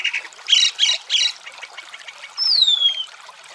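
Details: Chalk-browed mockingbird singing beside running water: three quick bright buzzy syllables, then a pause and one long clear whistle sliding downward, over a soft steady trickle of water.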